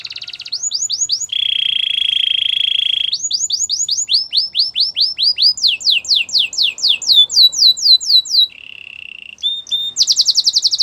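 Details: Gloster canary song in tours: quick upslurred notes, a sustained buzzy trill, then series of arched whistles and fast descending sweeps, a short low rattle, and a final high rapid trill, all loud and clear.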